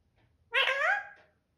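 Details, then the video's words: Single "mithoo" from a talking parrot: one sustained, harmonic, voice-like utterance lasting almost a second, rising then easing off. "Parrot speaking mithoo"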